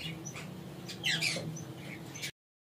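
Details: A female Derbyan (Lord Derby's) parakeet gives a brief cluster of harsh, squeaky notes over a low steady hum, with a few fainter chirps before and after.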